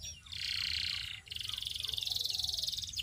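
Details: Canary singing a high, rolling trill held for about a second, a brief break, then a faster pulsing trill carrying on to the end.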